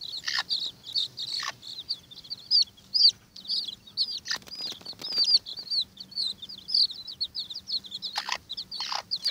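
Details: Several Watermaalse bantam chicks fighting over an earthworm: a steady stream of high, short upslurred peeps from many birds at once, punctuated by brief bursts of scuffling and wing flutters.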